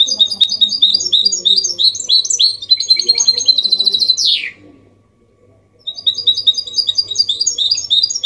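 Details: Hybrid goldfinch singing clean 'copia malaga' song meant to stimulate males and tutor chicks; quick high twitters ending in a sweeping downward buzz, a pause of silence, then fresh tinkling phrases.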